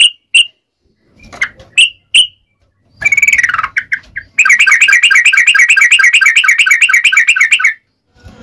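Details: Lively yellow-vented bulbul calling to its companions: several separate sharp whistles, a harsher scratchy phrase, then a dense, fast, rolling chatter of buzzy notes lasting about three seconds.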